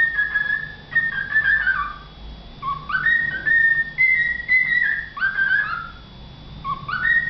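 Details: A cockatiel sings on an enclosed balcony in the early morning before breakfast, whistling a tuneful song of sliding, rising notes in short repeated phrases.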